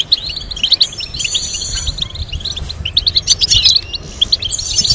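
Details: Goldfinch tutoring song: fast sequence of chirps and jingling notes, rising to a dense twittering burst near the middle, with a faint steady tone and light background hiss.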